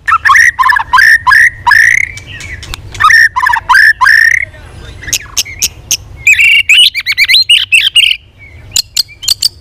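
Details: Shama in training, singing continuously in competition with many voices: clusters of rich downslurred and upslurred whistles, a pause, then a fast chattering trill and sharp clicks.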